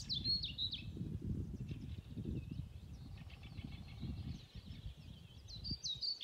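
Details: European pied flycatcher sings a short, high, sweet phrase at the start and end, with a lesser spotted woodpecker drumming faintly between, at Beteshagarna, Stornäset nature reserve, Alnö, Sweden, 20 May 2020; wryneck and chaffinch later join in.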